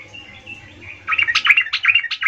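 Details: Sooty-headed bulbul, a lure recording of a bird singing continuously to call companions: faint low hum at first, then a lively run of bubbly, chattering, rising and falling notes in quick succession.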